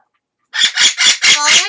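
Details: Pet Amazon parrot calling indoors while a second parrot responds: a rapid series of loud, harsh, rasping squawks, one after another.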